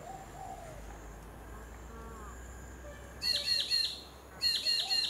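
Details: Blue-faced honeyeater on the Sunshine Coast, Queensland, recorded in April 2023: two short bursts of high, sharp, down-slurred calls, three or four notes each, over faint low background calls and steady ambient hiss.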